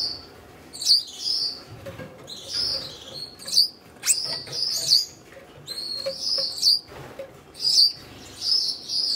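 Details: A red-headed Gouldian finch pair, paired for breeding two minutes earlier and together for a third season, in courtship: very high, thin hissing and buzzy song phrases every second or two, with soft flutters between.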